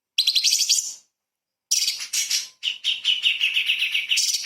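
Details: Light-vented bulbul in a training recording for magpie-robins, in 'tembakan' burst style: rapid buzzy chirps around mid-high pitch in two dense bursts, separated by a half-second pause.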